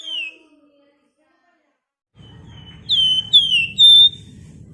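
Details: Lure song of a Flamboyan bird in ngebren and nyiul style: one falling whistle, a pause of nearly two seconds, then three loud drawn-out whistled notes in quick succession above a faint low rumble.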